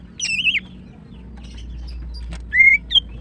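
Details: Female greater green leafbird, valued for morning song and used to prompt a male that stopped singing, gives a wavering warbled whistle, then a brief rising whistle and a sharp chirp after a quiet gap.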